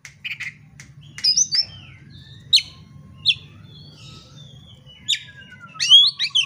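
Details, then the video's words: Oriental magpie-robin singing to provoke a fight. Scattered bright whistled notes and quick chirps, then a long, thin, falling whistle and a final cluster of ringing high notes. A low hum sounds throughout. "pancingan kacer agar tarung"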